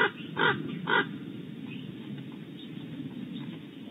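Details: A raven outside a barn owl nest cavity at Starr Ranch, California, gives three harsh, rasping croaks about half a second apart, then falls silent over a steady background hiss.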